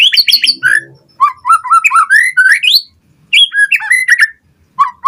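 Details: White-rumped shama song meant to make other birds respond: quick high chattering notes, then a series of rising whistled slurs climbing in pitch, a pause, and more varied whistles.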